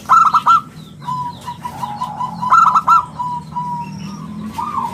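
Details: Singing local zebra dove, perkutut, in crystal-round 'bulat kristal' style for use as a lure and tutor: a bright stuttered trill, a long drawn level coo sequence, a second trill, then softer trailing coos.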